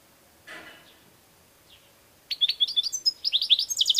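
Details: European goldfinch, kept bird, singing: a faint early chirp, then from midway a fast run of bright high twittering notes with buzzy trills, quickening toward the end.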